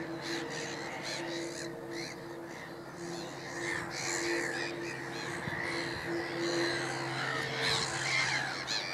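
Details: Black-headed gulls in a noisy gathering at Middleton / Fishers Mill: a dense jumble of harsh, nasal screeches that swells midway, over a constant low mechanical hum.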